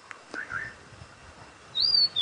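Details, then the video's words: Female rufous-naped lark singing happily about 10 m away, undisturbed by a safari vehicle, on a late-afternoon sunset drive at Djuma Game Reserve, Sabi Sand, South Africa, 11 February 2018: a few faint soft notes, then a clear high whistle sliding downward and a second note. "This rufous-naped lark is singing along so happily."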